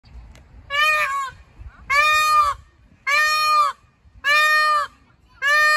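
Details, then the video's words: A peacock gives five loud, nasal, trumpeting calls, each about half a second long, roughly once a second, with faint background rumble; the peacock also attacks a van. "Peacock calls"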